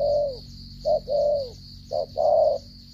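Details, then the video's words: Spotted dove from Cà Mau, Vietnam, 'gù cà lăm' stutter coo: a long falling coo, then short-long pairs, deep and resonant, over a faint constant high whine. "thổ trận âm tốt giao long lở gù cà lăm"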